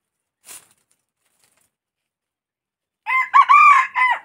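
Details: A red junglefowl crow after a brief faint click, then a quiet pause. The harsh, harmonic four-syllable phrase has a drawn-out central note and a dropping end, lasting a little over a second.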